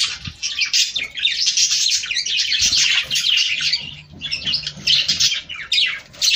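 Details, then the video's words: Budgerigars chattering to stimulate breeding in a sustained flurry of bright chirps, squeaks and buzzy warbles, pausing briefly near the end, with faint low knocks. "صوت طيور البادجي ــ تحفيز للتزاوج."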